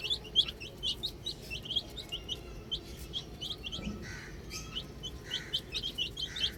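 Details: Chicks playing with a ball utter clear, high, falling peeps in quick series, with a few softer, lower tones sounding in the background.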